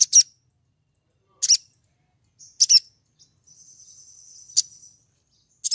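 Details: A female little spiderhunter in heat calls for a male, repeating sharp high doubled chips every second or so, with a steady thin whistle-like hiss between the later notes.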